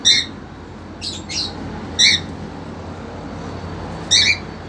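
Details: Caged cockatiels, a two-month-old female with a young male eager to mate: short bright chirps with stacked harmonics, given singly or in quick pairs about once a second, over a steady low hum.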